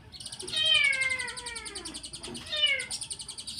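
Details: Mountain white-eye song with odd borrowed fill-in phrases: a long, drawn-out descending whine with rich harmonics over a rapid high pulsing trill, then a second shorter falling whine near the end.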